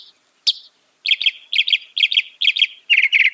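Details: Mockingbird singing a quick series of paired chirps, repeated about twice per second, after a single sharp opening note; phrases dense and slightly buzzy.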